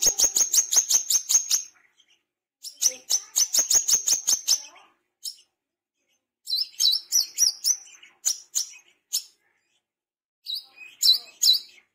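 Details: Tame brown-throated sunbird, wild-caught, calling in wiceh style: long rapid strings of very high ticking chirps, then slower clusters of sharp, slurred notes after short pauses.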